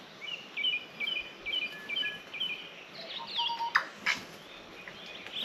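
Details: A tui sings from a tree on a blueberry farm outside Auckland, New Zealand, just after 6 a.m. at sunrise on the summer solstice, 21 December 2024: short high chirps about every half second, then varied notes with a low whistle and sharp clicks.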